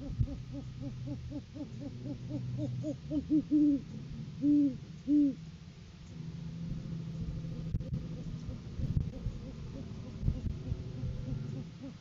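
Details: Great horned owl pair on a live cam in courting season, the male arriving with a food gift. Quick, evenly spaced low hoots roll on, then three drawn-out louder hoots, then quieter rumbling background with a few clicks.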